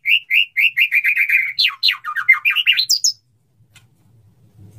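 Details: White-rumped shama male courting a female to mate; quick repeated chirps speed into a trill and tumbling descending notes, then a faint low hum after three seconds.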